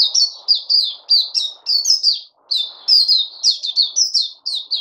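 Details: A bird delivers rapid strings of piercing, downward-sliding chirps, several per second, with one brief pause midway before the lively high notes resume.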